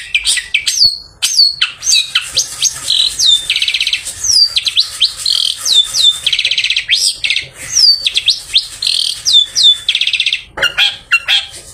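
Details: Bathed long-tailed shrike singing in the afternoon as a lure for other shrikes; repeated falling whistles alternate with fast buzzy rattles, the pattern cycling twice before a harsh closing burst.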